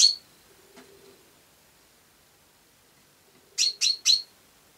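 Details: ['House sparrow chirping: one sharp chirp at the start, a quiet pause with faint low murmurs, then a quick run of three loud chirps in a row.']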